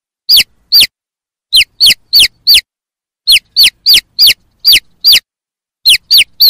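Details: Chicks peeping: loud, clean, downward-sliding peeps given singly or in quick runs of two to four, separated by silent gaps, with no other sounds.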